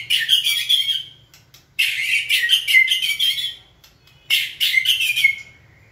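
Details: White-rumped shama in training, taught to sing on a human cue and stimulated into song: three bursts of rich, rapid warbled phrases at mid-high pitch, each about a second long, separated by short pauses.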